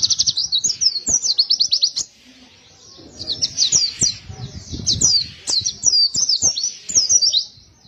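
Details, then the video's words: Pleci (white-eye) song delivered intensely: rapid, high, zigzagging whistled trills in long phrases, a short pause after two seconds, then renewed bursts over faint low background noise. "Suara pleci gacor ngotot penuh emosi tembakan tembus"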